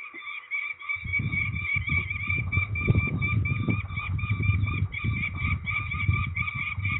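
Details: Peregrine falcon calling during ringing at Trzebież, Poland, on 13 May 2019: a steady run of rasping, repeated notes throughout, partly masked by loud low rumbling noise from handling or wind.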